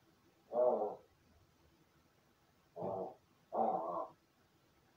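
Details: A captive crow in its room indoors, practising call imitation after playing alone: three harsh, throaty caws, the first separate and the last two close together, with quiet room hiss between.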